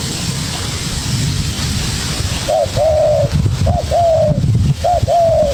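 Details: Young spotted dove answering a decoy bird, fighting keenly: after a stretch of low rumbling noise, three paired coos follow, each a quick short note and a drawn-out falling coo.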